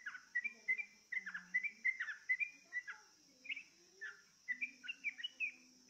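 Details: Sooty-headed bulbul singing on a lure track meant to coax birds into song: lively bursts of bright whistled, slurred notes repeated about twice a second in uneven phrases, with a constant high-pitched hiss and soft low tones behind.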